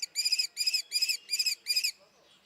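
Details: Common kestrel (Falco tinnunculus) gives five shrill, ringing 'kee' notes in quick succession, about three per second, then silence, with no other sounds; Common kestrel.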